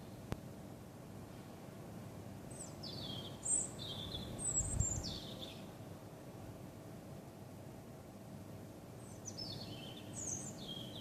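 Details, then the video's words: A stray songbird sings at night on 28 December 2013: high, thin whistled phrases sliding downward in stepped notes, a few bursts separated by pauses, over a faint low hum. "Vogelgesang in der Nacht zum 28.12.2013"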